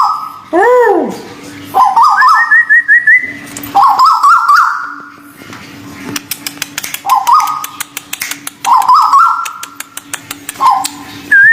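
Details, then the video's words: Local and Malaysian white-billed bulbuls singing for bird training: arched swooping whistle, then bubbly wavering whistled phrases climbing stepwise, repeated several times with pauses, over rapid sharp clicking and a constant low hum. "terapi burung tuwu paruh putih lokal dan malaysia"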